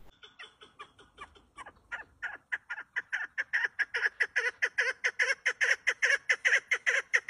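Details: Female partridge gives a long, steady series of harsh clucking notes, about two or three per second, growing louder and more regular as it goes.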